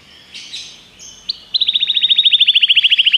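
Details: Common canary song: a few soft high notes, a short rising slur, then a loud, very regular rolling trill of repeated chips, about three or four per second, held to the end.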